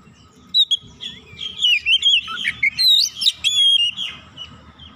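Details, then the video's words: Agitated Oriental magpie-robin (kacer), provoked once, singing its isian fill-in song as a dense, continuous stream of overlapping whistles and trills rising and falling, backed by low background noise. "Kacer sekali pancing langsung emosi bongkar isian"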